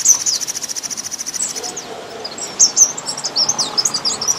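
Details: Thrush nightingale in spring opens with a fast, even rattle of clicking notes, then breaks into separate high, sharp chirps and short slurs.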